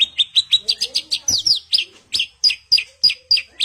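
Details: Javan bush lark in 'roll tembak' song style: a quick string of high, sharp downslurred notes, about four per second, steady and evenly spaced throughout.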